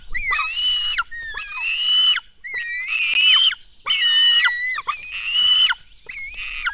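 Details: Black stork nestlings being fed at the nest, early morning, 24 June 2016, begging in a series of six harsh, grating screams about a second long, separated by brief pauses, with whistled overtones dropping at each end.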